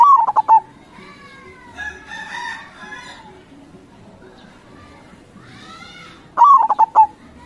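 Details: Local zebra dove crossing-style song, played as a lure for local doves: pulsed cooing phrases at the start and end, with loud harmonic calls from other birds filling the middle.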